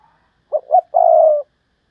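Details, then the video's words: Spotted dove used as a tree decoy and singing well: a single cooing phrase of two brief hollow notes leading into a long, smooth, gently descending coo, with nothing else heard. "Cu gáy mồi cây, hót hay 30 con có một"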